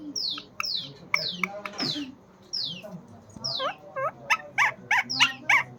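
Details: Small pet parrot chattering nonstop: sharp descending squeaky whistles and harsh squawks, then a quick run of short chirped notes bending up and down, with faint low voices in the background.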